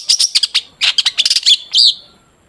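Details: Long-tailed shrike song, used as a lure to get shrikes singing: a quick run of dry, scratchy chirps ending in a longer, drawn-out whistled note that fades.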